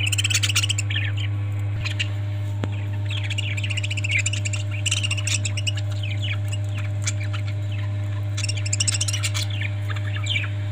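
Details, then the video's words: A flock of parrots gives busy overlapping chirps and squeaky notes in bursts, dense at the start and again near the end, above a persistent low droning hum. "Parrots 🐦 Sound"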